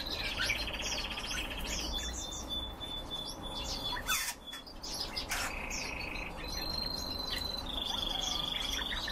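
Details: Caged red crossbills call rapidly, about four notes a second, mixing rattling trills, short chirps and several drawn-out high whistles, with a brief loud burst midway and busy background chatter.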